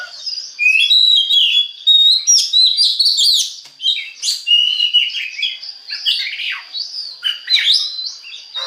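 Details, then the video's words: Song of an Oriental magpie-robin, known locally as kacer, played to prompt other birds to sing: fast, varied high whistled phrases mixing clear slurred notes, chirps and scratchy trills in almost unbroken flow. "DI JAMIN BIKIN KACER LAIN AUTO GACOR DENGAN PANCINGAN BURUNG KACER INI"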